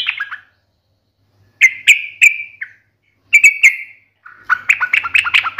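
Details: Yellow-vented bulbul (Pycnonotus goiavier) in sharp, combative song meant to provoke other bulbuls to answer: short bursts of bubbly, gurgling notes with quick downward slurs, three phrases separated by brief pauses, the last a rapid chattering run.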